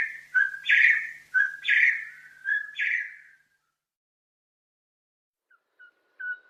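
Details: Crimson-headed Partridge, a black partridge with a bright red head of Bornean montane forest, giving a loud, ringing, somewhat metallic ring-ying: three two-part notes about a second apart, a steady tone then a higher burst, followed by silence and faint short notes.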